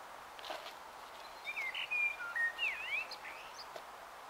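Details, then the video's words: Common blackbird singing at dusk in Taunton, Somerset, on 21 March 2018; a short burst of varied whistled and slurred notes in the middle, quieter than the surrounding background noise at start and end. "BLACKBIRD @ DUSK EVESONG"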